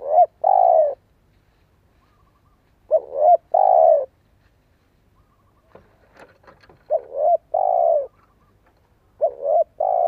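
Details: Good-voiced spotted dove decoy bird that prompts others to coo. Three repeated phrases, each a quick double note leading into a long, level, mellow coo, spaced about three seconds apart, with faint rustling between.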